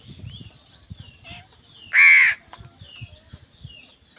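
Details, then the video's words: A crow fighting over food lets out one loud harsh caw midway, with faint chirps from other wild birds and low rumbling around it. "Crows fight with wild birds for food | Crow bird unity anger and sound"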